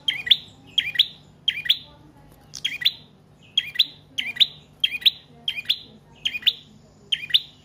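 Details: Long, lively prinia singing used to lure birds and train cage birds: a steady string of bright doubled chirps, roughly one every three quarters of a second, with faint background hum.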